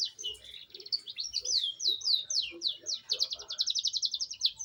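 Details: A young canary beginning its rolling song opens with repeated downward-sweeping whistles. These speed into a fast even trill of short high notes, delivered almost four per second and quickening toward the end.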